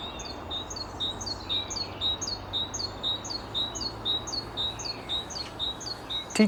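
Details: Great tit, wild, singing its 'teacher teacher' song while another answers from farther away; high, bright two-note phrases repeated steadily about twice a second over a soft background hiss, ending in a brief knock.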